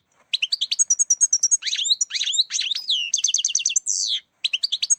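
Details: Trapping lure of European goldfinch song: bright, rapid twitters and trills, slurred chirps, a fast run of repeated notes and a short buzzy wheeze before one last burst of tinkling notes; clean, without background noise.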